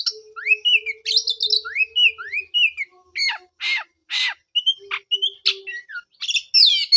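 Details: Oriental magpie-robin singing, meant to prompt a caged bird that stopped after moulting; repeated rising whistled phrases, then harsh buzzy rasps and scattered whistles, with a faint steady low tone.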